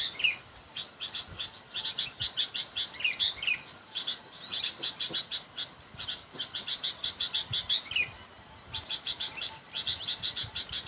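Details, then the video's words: Sooty-headed bulbul calling a rival: long series of quick, high chirps delivered in bursts of several notes each, with occasional slurred whistles, pausing briefly between bursts over a quiet background. "kutilang memanggil lawan"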